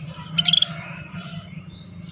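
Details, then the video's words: Scaly-breasted bulbul in full, lively song, from a rare tutor recording for training songbirds: a brief cluster of bright, clear high whistled notes lasting about a quarter second, over a steady low hum. "Suara Burung Cucak Bersisik Gacor"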